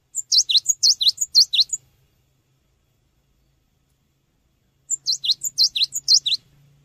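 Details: Cinereous tit song meant as a training lure: two bursts of quick, high V-shaped whistles paired with sharp chips, each burst about a second and a half, separated by three seconds of silence.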